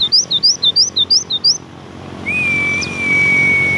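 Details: Javan white-eye giving a fast series of about nine bright, looping chirps at a steady pace, then a sustained thin whistled tone.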